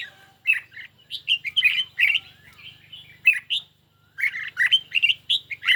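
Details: Caged red-whiskered bulbul in a singing duel with a phone recording: long runs of quick, varied, slurred whistles and chirps, one short pause midway, with a clean quiet background.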